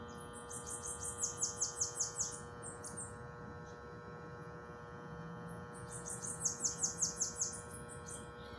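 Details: Bananaquit singing in nature: two bursts of high, thin, rapidly repeated buzzy notes, about eight per burst, separated by a pause of several seconds, over a steady electrical hum.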